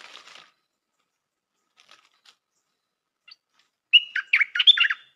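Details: A new decoy Stripe-throated bulbul makes soft scratchy sounds and a few faint ticks. It ends with a strong phrase: a whistled note followed by quick gurgled, rolling notes.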